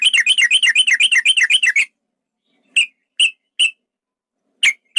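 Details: Male yellow-vented bulbul with a long rolling fighting song: a fast, steady string of about fifteen chattering notes for nearly two seconds, then several isolated sharp notes after silence.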